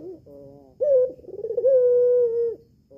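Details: Albino Barbary dove, red-eyed and kept at home, calling to lure a male into answering. A low flat nasal tone is followed by a sharp note, a rapid stuttering roll, then a long even coo that fades away.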